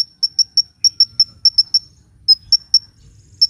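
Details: Hummingbird song used for luring birds and prompting lazy birds to sing: thin, high, sharp chirps given in quick bursts of three to seven notes with brief pauses between runs, over a faint low hum.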